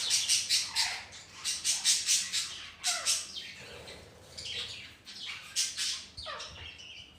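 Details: Budgerigars in a healthy home colony shared with ring-necked parrots: bursts of high, scratchy chirps and warbles, several fast squeaky notes at once, with brief down-slurred whistles between busy spells.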